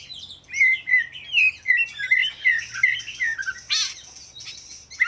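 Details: Oriental magpie-robin delivering a string of sweet whistled notes and rising slurs, broken by a harsh burst near the end; low hum in the background.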